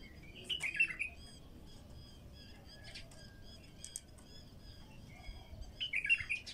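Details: Bulbul song, raw and unprocessed, for getting wild bulbuls singing: a quick warbled phrase opens and another closes the stretch. Between them come scattered thin high chirps from other birds.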